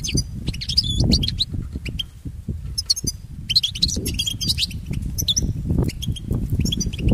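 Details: Song of a European goldfinch meant for training pet birds: bursts of bright, tinkling twitters and sharp chirps separated by short gaps, the phrases rising and falling quickly, over constant low rumbling.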